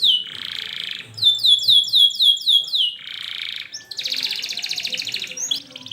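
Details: Canary in emotional song used to train young birds: a buzzy held tone, a row of bright downward-curving whistles about four per second, another buzzy phrase, then a dense rapid trill.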